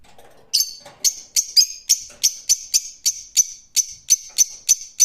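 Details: Rose-ringed parakeet giving a rapid series of harsh, shrill screeches, about three per second, each sharp and high-pitched, continuing steadily for several seconds after a faint low murmur at the start.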